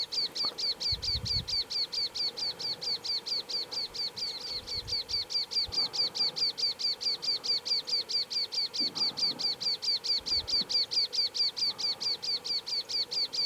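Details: Rufous-eared Warbler singing in Karoo National Park, repeating a high, thin, piping note in a fast, steady, metronome-like series, with occasional soft low thumps.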